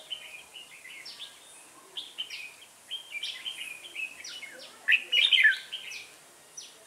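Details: Red-whiskered bulbul at a decoy-bird trapping session on 1 October 2018, Vietnam; dense chorus of quick down-slurred whistles and chirps, peaking in a loud, jumbled warble near the end.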